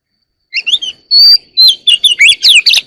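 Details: Oriental magpie-robin, a caged ornamental bird, singing early in the morning: a rapid, varied run of clear whistled notes and sweeping slurs, some rising and some falling, with a few harsher chattering notes, loud and close.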